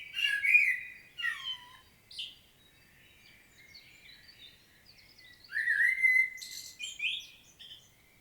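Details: Common blackbird singing a powerful solo in Świnoujście, Poland, on 25 September 2022: low fluty warbled phrases near the bottom of its range, each ending in a thin, high twitter, with a quiet pause between phrases.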